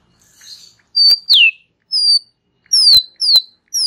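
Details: Relaxed chatter of a white-rumped shama: thin high downslurred whistles and sharp clicks, given in short separated notes.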